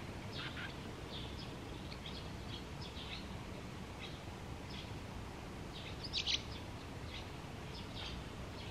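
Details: Barn swallow at the Tama River giving short, high chirps in a loose, irregular series, one brief sharper burst near the end, all set against constant low-pitched environmental rumble.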